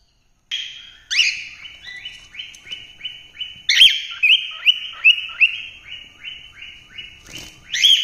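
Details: Cockatiel song opening with a loud slurred whistle, followed by a long run of about a dozen short, matching rising whistles at a steady pace, then a bright closing note.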